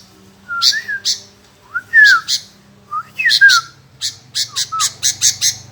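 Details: Sooty-headed bulbul, a strong, well-trained bird: short bubbly whistled phrases sliding up and down, each followed by sharp chirping notes, then a fast run of six or seven clipped notes near the end, in a quiet room.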